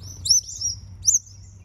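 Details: New Holland honeyeaters: two short, high, thin whistled calls with sharp upward sweeps and brief trills, about a second apart, over faint low background rumble.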